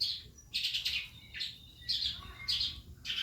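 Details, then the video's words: Young Calandra lark learning sounds, kept as a lure bird: short bursts of high, scratchy chirped phrases repeated roughly every second, with quiet low hum between them. "calandra belajar bunyi"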